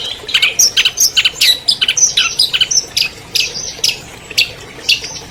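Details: Lure song of an albino long-tailed shrike, 2020 champion: a quick jumble of high chirps and whistles early on, slowing to scattered bright notes and thin whistled tones.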